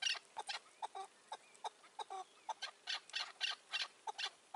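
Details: Chukar partridges heard in May 2024 during a decoy hunt for a wild, old, cautious partridge. Spaced, scratchy chuck notes sound every half second or so, some doubled, with brief faint whistled tones between.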